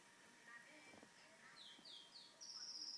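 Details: Pet canary singing indoors at home while the family watches TV; low murmuring at first, then quick high buzzy trills and short rising-falling whistled notes that grow louder toward the end.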